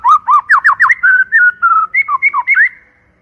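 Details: White-rumped shama song as a loud lure: rapid repeated dipping whistles followed by level whistled notes and more quick slurred phrases, fading out at the end.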